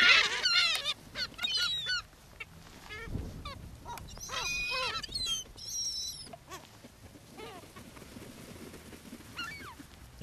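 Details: Gulls being fed on the beach at Brean Sands, Somerset, England, on a spring day in April 2013; many birds call at once, a dense overlapping chorus of loud, harsh, arching squeals that eases into scattered cries later.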